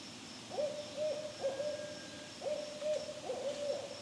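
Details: Barred Owls calling at close range at evening in a park, at least three, thought to be an adult with juveniles: a run of mellow, mid-pitched hoots, each sliding up into a held note, about eight in four seconds; faint high insect hum.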